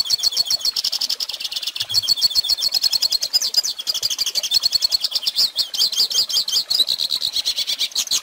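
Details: Pintassilgo (Hooded Siskin) song for training young birds: a dense, fast, high chatter of repeated twittered notes and short trills that flows continuously and varies slightly in pitch.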